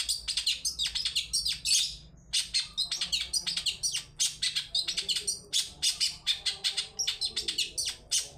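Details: Long-tailed shrike (cendet) song played as a lure to make other birds sing: dense, rapid stream of sharp, scratchy chirps and buzzy notes, almost unbroken throughout.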